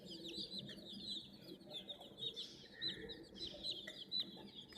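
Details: A flock of young chicken chicks around a toy crane keep up shrill high chirping, short slurred notes overlapping in quick succession, over faint low background noise.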